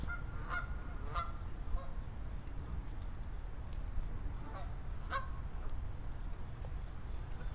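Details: A gaggle of geese: scattered short nasal honks, two close together early and more later, faint against a strong steady low rumble of wind or handling noise.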